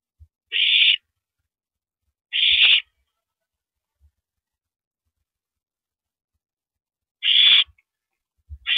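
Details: At a nest at night on April 9, 2012, an owl hands a rabbit to its mate after feeding; three full hoarse screeches and the start of a fourth, separated by a long quiet gap.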